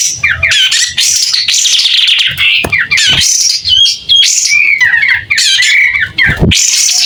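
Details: White-rumped shama singing hard with tail spread. Long, clear, varied phrases of fast warbles, trills and slurred whistles, with a few short clicks and knocks between them.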